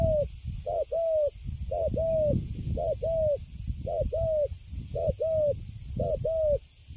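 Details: Young caged spotted dove of Cấn Sấm type, standing quietly after capture, repeating clear two-note coos roughly once a second, the second note longer and gently falling, with mild low background hum.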